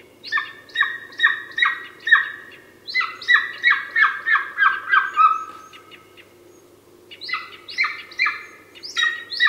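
Golden Eagle giving quick runs of sharp, yelping notes, about three per second, in three bursts with short pauses, over a faint low hum.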